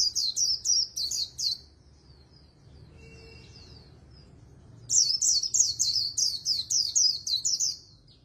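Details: Fast líu song of an Oriental white-eye, a training style imitating the magpie-robin voice: a burst of high slurred phrases, a lull with faint soft notes, then about ten rapid whistled phrases.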